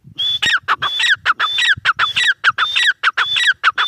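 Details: Teetar, or gray francolin, calling insistently with rapid repeated phrases of a high whistled note followed by harsh descending squeals, with some faint low background noise.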